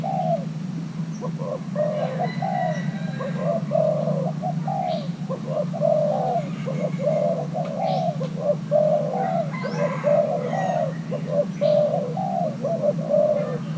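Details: Young male Thai hybrid spotted dove being paired with a mate, showing its cooing style: a steady run of mellow, hooting coo phrases in repeated groups over fourteen seconds, with a constant low hum and faint high chirps behind.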